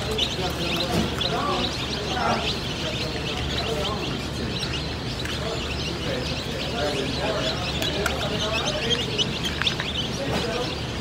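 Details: Many day-old Delaware chicks at a hatchery peeping together, a dense stream of short high chirps with some louder calls standing out, over a continuous low mechanical hum.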